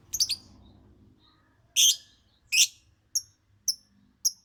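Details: Singing lovebird giving sharp, shrill chirps at uneven intervals, a few broad rasping notes followed by three shorter clipped squeaks, over faint low background noise.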